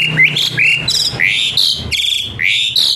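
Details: Asian pied starling song aimed at coaxing a lazy-singing starling into song: loud, rich varied phrases of rising whistles and harsh, buzzy slurs, packed closely together.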